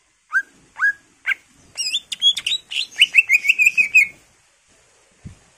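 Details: Actively singing greater green leafbird, used as a lure and packed with fill phrases: three rising whistled notes, then a rich jumble of warbles, leading into a fast rattling trill that fades out.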